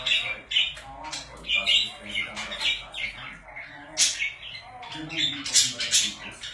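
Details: Budgies kept as pets chattering continuously, a mix of gravelly warbles, high chirps and short squawks, with louder bursts near the end.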